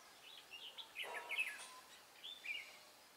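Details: Red-whiskered bulbul singing as a decoy during trapping, 23 March 2018; a few short, bubbling phrases of high, clipped chirps with brief pauses between them over soft outdoor background hiss.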